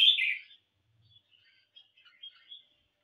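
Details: Kept Red-whiskered bulbul in a singing competition opens with a loud, short, warbling phrase, then falls to faint, scattered high whistled and chirped notes over quiet background.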